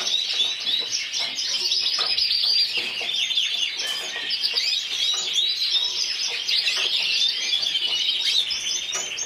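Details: Yellow frosted lipochrome canary, second-placed individual at Burgos 2014, sings an unbroken run of shrill, fast-rolling trills and twitters at an even, strong volume.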